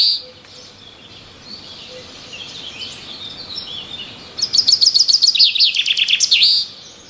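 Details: Birds chirping in the trees: soft, faint high twittering at first, then a loud burst of rapid, sharp, high chirps repeated quickly for about two seconds before stopping, over light background hiss.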